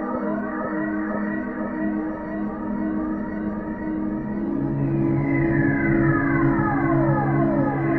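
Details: Ambient electronic music with sustained droning chords and slowly sliding, siren-like tones that sweep down across the second half.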